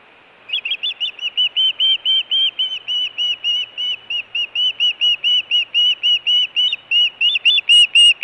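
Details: Osprey at a nest in Hellgate, Montana, in June 2017, calling for food or giving alert calls. A long run of clear whistled notes, about four per second, steady in pitch and fairly regular, without other notable sounds.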